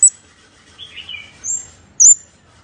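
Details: Scarlet-backed flowerpecker lure call: two brief, very high sharp ticks about two seconds apart, with a soft lower twittering and a thin high trill between them.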